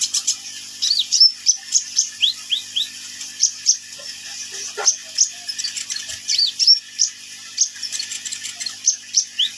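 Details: Sunbird (kolibri ninja) in lively song: a steady stream of very high, short, sweeping chirps and thin twitters, several notes a second, over a constant hiss with some faint low knocks.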